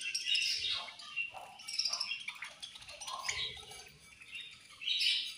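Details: Budgerigars eating food and fighting, giving a busy chatter of overlapping high chirps and warbles in short bursts, with soft pauses between.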